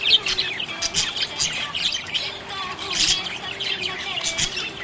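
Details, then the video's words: Lively budgerigar chatter: a stream of high chirps, scratchy twitters and little whistled notes, with occasional stronger tweets standing out. "Happy budgie chirping sound"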